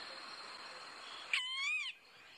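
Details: A male Golden-tailed Woodpecker calls at sunrise on 7 May 2017 at Djuma Game Reserve: a single nasal, squealing call about half a second long, level then bending downward, likened to a child blowing a clarinet, over a steady high hiss.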